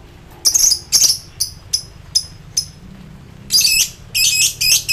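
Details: Lovebird roused to high emotion and calling rivals, ngekek style: short squeaky notes spaced out at first, then denser rasping bursts run together toward the end.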